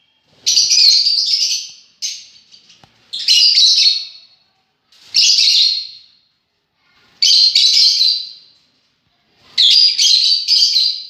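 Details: Lovebirds calling in five loud, harsh, high chirping bursts, each about a second long and separated by short pauses, with no other clear sounds.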